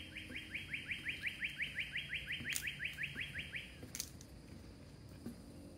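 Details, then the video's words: Northern cardinal singing at Sweetwater Park, Oviedo, Florida, along a boardwalk with cabbage palms and bitter orange trees: a fast, even run of about twenty clear downslurred whistles, roughly three per second, over low background hum. "Singing Northern Cardinal"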